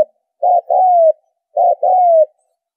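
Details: Trapping lure call of a spotted dove: two mellow coo phrases, a brief rough opening note followed by a drawn-out falling whistle-like coo, separated by a pause, in silence.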